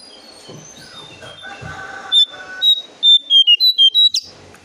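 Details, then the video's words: Brown shrike call, used as a lure for other birds: a quiet opening with faint background sounds, then a quick run of about eight short, sharp, high whistled notes, each clipped and bright. "Jongkangan/Cingcoang coklat untuk pancingan burung anda"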